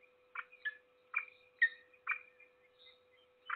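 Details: Peregrine falcon feeding its single chick, Trzebież Forest District, Poland, 7 May 2022: harsh, rasping notes repeated about twice a second at an uneven pace, with a faint thin squeal between them over a steady electrical hum.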